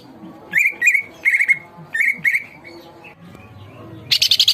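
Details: Greater green leafbird in lively masteran song: clear whistled phrases, each a short rising note trailing into a level whistle, in groups of two or three, ending in a fast burst of high rattling notes.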